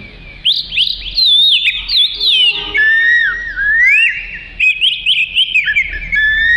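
An Oriental magpie-robin sings a rich, nonstop run of clear whistles, slurred up and down and mixed with quick chattery notes, with no pauses.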